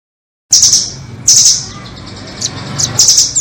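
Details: Nuthatch lure audio used by bird trappers, featuring the 'doraemon' and red-billed nuthatch types: two loud high buzzy trills around half a second long, then a few short sharp chips and a final trill, over a low steady hum.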